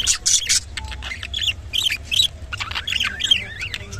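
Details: Rainbow budgerigar with varied chatter: harsh squawky bursts, then wavering, bent whistled notes and squeaks, changing pitch quickly.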